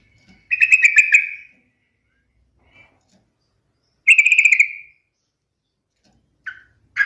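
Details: Yellow-vented bulbul giving two rich, bubbling, gurgling phrases about three seconds apart, each roughly a second long, followed by brief single notes near the end.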